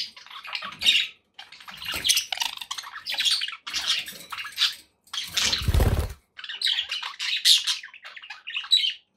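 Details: Pet budgerigars chatter in scratchy warbling phrases and squeaks, with a brief low thumping noise near the middle.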